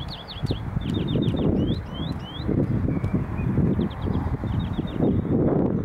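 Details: Common Redshank at Valkenburgse Meer, the Netherlands, 11 April 2017: quick runs of clear, downslurred whistled notes, three to five in a burst, over a steady low rumble of wind.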